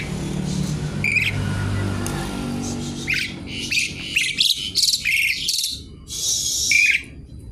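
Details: Javan pied starling in loud, busy song filled with imitations, searching for a rival: a burst of clipped whistles and harsh rasps builds into a dense chattering run, ending in a long hiss and a whistle.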